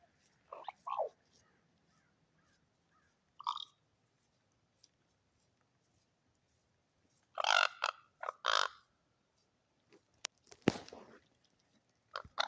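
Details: Crow making strange sounds: scattered short throaty gurgles, then two louder rasping, croaking bursts, followed by sharp clicks and knocks between quiet gaps.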